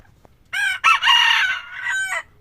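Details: Red junglefowl rooster, an F2 bird, crowing once: a loud, harsh, ringing multi-part crow lasting under two seconds, with a strained middle section and a clipped ending, in otherwise quiet surroundings.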